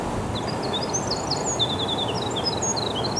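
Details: A Winter Wren perched alertly in Montoursville, Pennsylvania, on 29 March 2021 sings a fast, tumbling stream of very high, tinkling notes and trills over a steady low rumble of traffic or wind.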